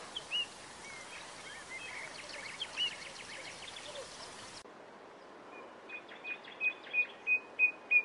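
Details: Nightingale singing outdoors in a long, peaceful natural recording: high, clear repeated notes, a rattling series of short strokes, then a run of evenly spaced whistled notes growing louder, over a soft wash of background noise.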